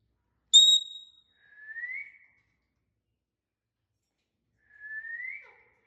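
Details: A pet rose-ringed (ringneck) parakeet making natural sounds: a sharp, high whistled note, then two clear upward-sliding whistles about a second long, some three seconds apart, in a quiet room.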